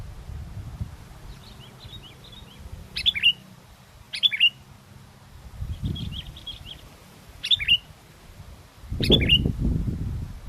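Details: Sooty-headed bulbul (kutilang) singing strongly despite windy conditions, recorded to lure birds; loud phrases of three or four falling whistles roughly every one and a half seconds, alternating with quieter twittering runs, with intermittent wind gusts.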